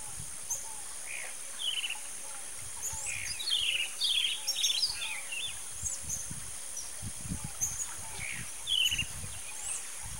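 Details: Roadside hawk, disturbed, calling in irregular bursts of harsh, buzzy, descending notes, several clustered near the middle and another near the end, amid thin high chirps and low whistles from other birds and a constant background hiss.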